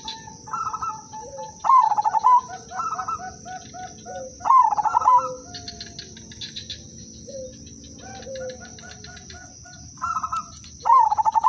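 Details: Udanmas silver zebra dove, used as a melodious lure for other doves, gives loud stuttering coo phrases every few seconds, alternating with softer trilled replies from other birds and a constant high whine.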